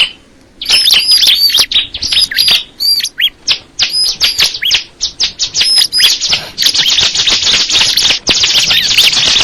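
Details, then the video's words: High twittering bar-winged prinia song with sharp chirps and whistles, growing into a continuous dense buzzy trill toward the end. "the sound of the crystal ciblek bird"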